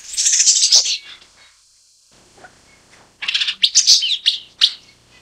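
A broad-tailed paradise whydah gives two bursts of high, dry, chattering chirps, rapid and uneven, with a quiet pause between them.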